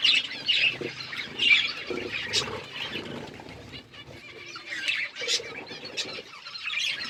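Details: Seed-eating budgies chatter in bursts of high, grating chirps and squeaks, separated by quieter gaps filled with low rustling and soft crackles.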